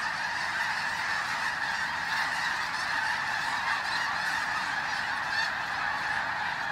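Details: Thousands of wild snow geese fly in before dawn to join a resting flock at Bosque del Apache, San Antonio, New Mexico, on a freezing morning, recorded on a phone; a dense, unbroken roar of overlapping high, nasal honks.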